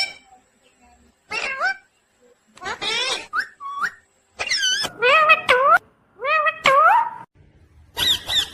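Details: Talking parrot, a pet, giving short speech-like harmonic phrases with rising and falling whistled tones, in bursts separated by brief silences, indoors.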